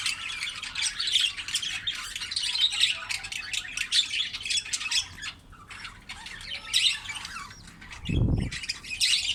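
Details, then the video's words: Chicks of a budgerigar being fed by the mother produce continuous harsh, buzzy squawks and chatter, rapid and overlapping, briefly easing before a loud low thud or bump near the end, then squawking resumes. "budgies mother gives feed to her chicks"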